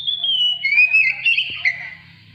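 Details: Oriental magpie-robin singing to prompt other birds, a short sustained whistled phrase that dips and wavers, with a single sharp click midway, then fades.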